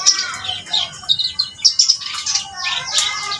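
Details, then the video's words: Short burst of vigorous reed warbler song: quick scratchy and whistled notes tumbling together in uneven bursts. "burung kerak basi gacor"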